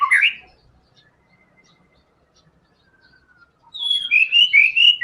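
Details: Murai batu (white-rumped shama) singing in full fighter style as a prompt for other songbirds. A brief rising whistled note opens, then a near-silent stretch, then loud looping whistled notes at the end.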